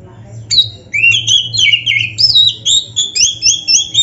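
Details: Caged Oriental magpie-robin (kacer) singing loudly, meant to get reluctant kacer singing; clear whistled notes sliding up and down, quick repeated two-note phrases in a lively varied stream, with a low background hum.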